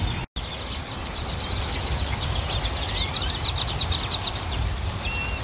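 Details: Grackles crowding a parking lot in Cypress, Texas, on poles, trees and pavement; a constant chatter of sharp chirps and squeaky rising whistles from many birds, with low traffic noise underneath and a brief dropout near the start.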